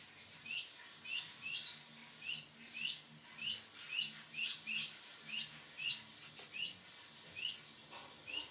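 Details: Male canary of the Sunkist colour variety giving short, bright, upward-flicking chirps, repeated steadily about every half second through the recording, with a faint low hum underneath.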